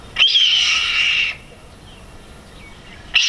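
A Red-tailed Hawk gives a hoarse, raspy scream lasting about a second and slurring slightly downward, then a second scream begins as the first fades.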